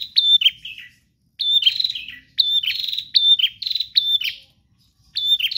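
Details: Nonstop gacor song of a bar-winged prinia: high clear notes run into fast buzzing pulse trains, delivered in dense phrases with brief gaps, the bursts coming almost back to back in the middle.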